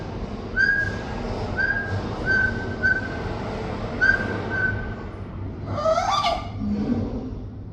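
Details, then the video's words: A pet parrot whistles a string of short, even notes, then breaks into a harsh, buzzy squawk that sweeps up and down, over low background hum. "My Parrot Rudy Making Intriguing And Funny Sounds!"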